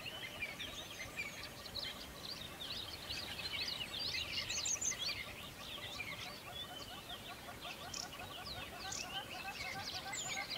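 Several songbirds chirp and twitter at once in a dense, high-pitched chorus of quick overlapping notes, with a soft outdoor hiss underneath.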